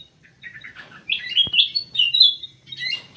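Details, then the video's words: Munia, known locally as emprit sawah, giving a run of high, thin chirps and short buzzy notes, some rising and slurred, clustered together in a brief excited burst with a faint low hum beneath. "burung emprit sawah, emprit kji"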